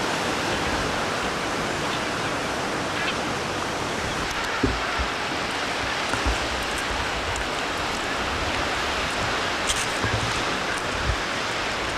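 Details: Steady broadband roar of surf or wind with a few faint clicks and knocks; no clear animal calls stand out.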